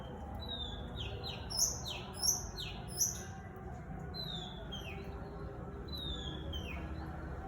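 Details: Long-tailed shrike singing actively and answering wild birds, recorded on an iPhone: a series of sharp, falling whistled notes, some high and bright, repeated about every second, with steady low background hum.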